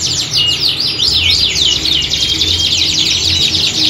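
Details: Canaries in a group chorus mimicking a singing contest, for training competition birds; energetic high zigzagging trills and repeated sweeping notes packed closely together, over a low steady hum.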